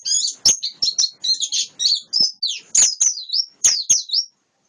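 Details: Wild-caught white-eye singing a rapid, high-pitched twittering run of short chirps and downslurred whistles, closely packed phrases with brief pauses, clean background.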